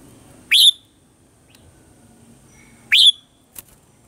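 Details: Morning song of a red-whiskered bulbul, 'old forest voice' style, used as lure audio for training birds: two bright, upward-sweeping whistled notes about two and a half seconds apart, then a faint click.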